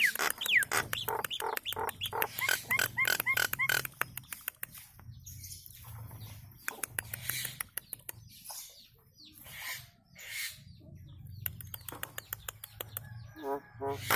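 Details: Nias hill myna singing, used to train caged birds: loud, fast series of clipped, clicking notes and harmonic whistles, broken by brief pauses, with a low background hum.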